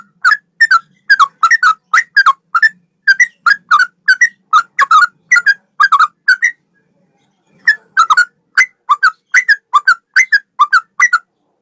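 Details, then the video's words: Male yellow-vented bulbul giving a long, unbroken song: a rapid string of short bubbly, chirping notes in quick clusters. The notes run steadily for about six seconds, then pause briefly before resuming. "Burung trucukan gacor ropel 1 nafas panjang"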